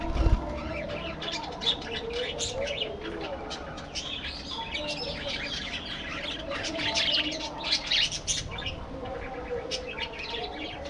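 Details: Budgerigars chattering in a colony aviary: a loose flow of chirps, clicks and warbled squawks, busier around the middle, with a low hum underneath.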